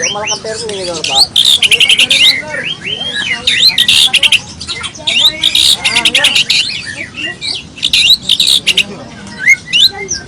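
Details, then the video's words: A white-rumped shama sings a dense song packed with mixed filler phrases. Rich high warbling and whistles alternate with fast rattling bursts and some lower chattering notes, almost without a pause. "kicau murai batu.. fuul isiaaan"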